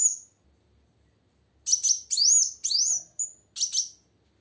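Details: Vocal female plain sunbird whose voice is used to stir a quiet male to sing: a lone high note, a pause, then a quick run of bright, sweeping, slurred chirps.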